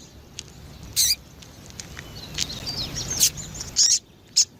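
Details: Female rusty-collared seedeater, a lively caller used to stimulate cold males: scattered high, thin chirps and short bursts, some faint twittering between them, spaced irregularly over four seconds.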